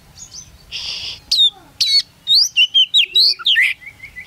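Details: Competition Oriental magpie-robin singing under its cage at a contest in Singkawang: a noisy rasping burst, then a rapid run of clear, sweeping whistled notes, each slurred up or down, ending with a descending series of short whistles.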